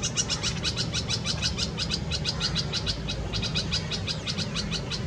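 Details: In a Delhi garden in India in May 2020, during summer heat, a red-vented bulbul feeds nestlings in a Karaunda bush; dense, rapid chattering chirps, sharp and high, repeated steadily throughout over low hum.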